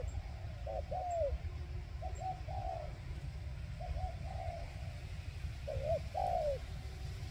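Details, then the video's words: Decoy spotted dove in Vietnam, kept to call in wild doves for trapping, giving a low hoarse coo in repeated phrases: two quick notes then a longer falling one, against a steady low rumble. "Cu Gáy Mồi Rút Bổi"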